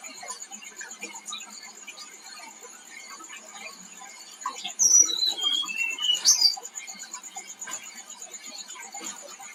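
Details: Tledekan, a flowerpecker, on a lure recording: a brief burst of high, thin notes tumbling downward in quick steps around mid-clip, set against a steady high whine and scattered soft chirps throughout.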